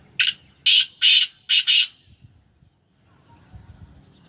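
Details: A captive Sindhi-type black francolin calls a rapid burst of five harsh, scratchy notes, the last two almost joined, followed by quiet with faint low rumbling.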